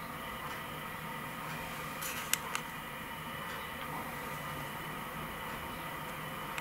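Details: Indoor fan-like hum with a couple of sharp ticks midway and no animal sounds.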